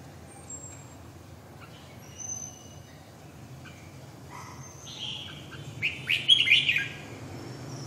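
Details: Red-whiskered bulbul song, mostly quiet scattered chirps at first, building to a loud, rich warbled burst of whistled notes toward the end, over a low steady background hum.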